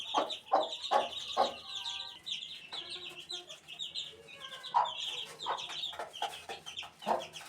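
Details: Chicken chick, eighteen days old, giving rapid high cheeps about two per second, with a few drawn-out whistled tones in the middle and soft lower clucking notes underneath.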